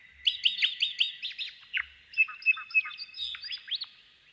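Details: Two White-eared Honeyeaters counter-sing in a dawn chorus, spring or summer, precisely alternating phrases of bright, quick down-slurred whistles, one bird's run of notes followed closely by the other's answering run.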